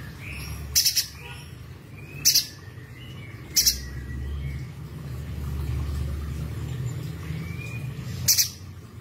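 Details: A mountain spiderhunter, a loud, sharp singer used as a tutor song for songbirds, gives four loud, sharp, high chips at uneven intervals over nine seconds, with faint thin whistles from other birds and a low rumble behind.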